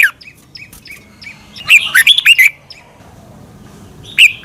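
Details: Red-whiskered bulbul in Thailand, a caged-bird training recording; scattered soft chips, then a brief loud burst of rapid rising and falling whistles, followed by another chip near the end.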